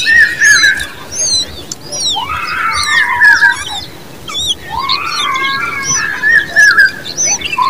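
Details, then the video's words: Common babbler babies produce harsh, stretched squealing begging notes in two long bouts, with high piping chirps scattered throughout. "Common babbler birds babies with sound"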